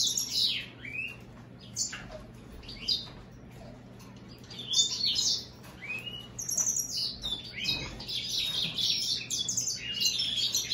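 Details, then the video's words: American goldfinch and European greenfinch hybrid singing irregular bursts of high chirps and slurred notes that build into a sustained rapid twittering warble, over a faint low hum. "هجين الحسون الامريكي مع الخضري"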